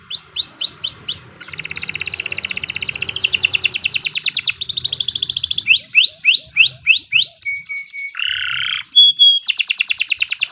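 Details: Sharp canary song used as a lure for young contenders: fast downslurred notes, buzzy rolling trills, a low rasping burst and clear whistled notes, phrases changing every second or two.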